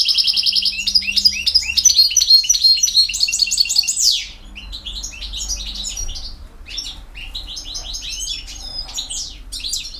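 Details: Goldfinch in BiH singing campero style: a loud, rapid trill of repeated high notes sliding into a fast jangle, followed by quieter scattered twitters and chirps.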